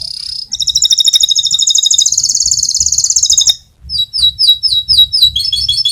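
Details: Canary, a fighter-type bird whose rolling song serves as a master recording for teaching other canaries: a high steady whistle, then a long fast rapid trill, followed by quick repeated chirped notes, with faint low background hum.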